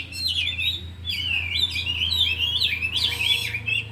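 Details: Four caged oriental magpie-robins, singing in the afternoon while unloading their 'isian': dense, flowing whistled warbles with rasping bursts, continuous and overlapping, over a low background hum.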